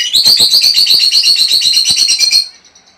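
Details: Lovebird chattering aimed at stimulating a female to lay eggs: a rapid, steady run of shrill, buzzy chirps, about eight per second, lasting over two seconds before fading.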